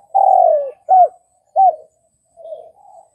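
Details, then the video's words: Vietnamese spotted dove giving a long falling coo followed by two short arched notes, then softer low murmurs. "Tiếng cu gáy Việt"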